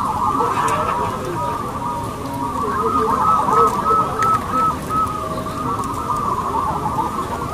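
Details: Many local zebra doves singing at a contest, their coos merging into a dense continuous chorus with rapid repeated bubbling notes running through it.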